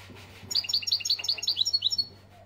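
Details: European goldfinch from Algeria singing: a lively run of high, tinkling twittered notes, quick liquid chirps strung together for about a second and a half, over a low steady hum.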